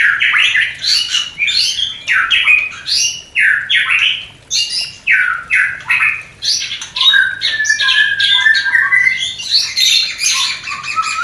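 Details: White-rumped shama mating sound to raise breeding desire in a new pair; energetic bouts of loud chattering, whistled notes and harsh squawks repeated in pulses about every half second.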